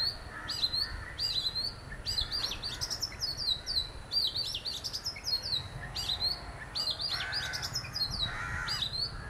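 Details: An Oriental magpie-robin, one of a pair visiting, sings loudly: rich, varied whistled phrases of rising and falling notes mixed with sharp clicks and chips, repeated in bursts every second or two.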